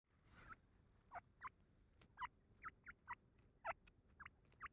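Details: Grey francolin (teetar) chick giving short, sharp peeping notes that rise and fall, about ten in under five seconds at uneven intervals, with faint clicks and tapping in the background.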